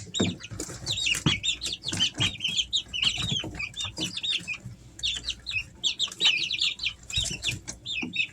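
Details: A group of three-week-old Easter Egger chicks at home in summer chirping continuously, shrill peeps rising and falling in rapid succession, punctuated by clicks and scuffs.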